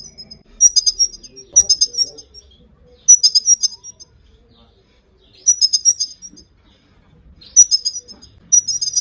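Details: Motivational calls of a female Himalayan goldfinch for training a male: five separate bursts of quick, bright, high-pitched twittering notes spaced roughly every one and a half to two seconds.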